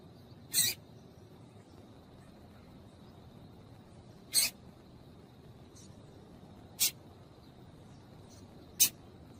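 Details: Double-collared seedeater female calling to warm up the male: four brief, harsh chips spaced about two seconds apart over a steady faint hiss.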